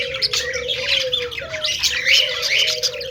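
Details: Happy budgies in a flock, fast scratchy warbling and squeaky chirps layered over a sustained low wavering tone.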